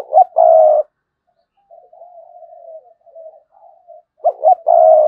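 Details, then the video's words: A decoy spotted dove coos loudly in sa gù and thúc bổi style, two stuttered notes and a long coo, with soft wavering coos from other doves in between before the phrase repeats. "Chim Cu Mồi cườm sa gù + thúc bổi nghe là phải gáy"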